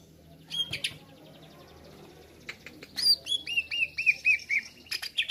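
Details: Greater green leafbird song used as a tutor recording to provoke other birds. Faint clicks, then a bright high whistle followed by a run of curved slurred notes with a thin overlying tone.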